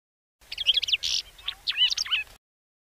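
A crested lark sings a quick two-second phrase of varied, liquid whistled notes broken by a brief buzzy burst. No other sounds are heard.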